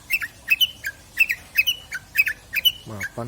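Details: Long-tailed shrike giving repeated harsh, squawky double notes with short slurred tails, evenly spaced about twice a second, then two lower rasping notes at the end, recorded as song material for training birds.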